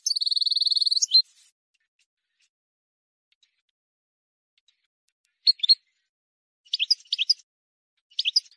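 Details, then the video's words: Wild European goldfinch, song meant to teach young birds: opens with a steady buzzy trill lasting about a second, followed by silence and a few short high double chirps near the end. "غناء حسون بري خالي من الاخطاء لتسميع الفراخ"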